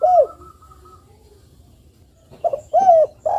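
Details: Spotted dove in strong calling form, used as a lure to provoke other doves to call: one arched, mellow coo opens, then a long quiet gap before two or three more coo notes close the stretch.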